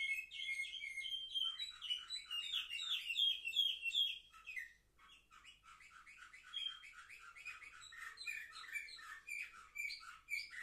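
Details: Seven-month-old indoor canaries, recorded 10 November 2023, sing a long varied song: a whistled opening, rapid tumbling notes, a brief break, then clipped repeated chirps.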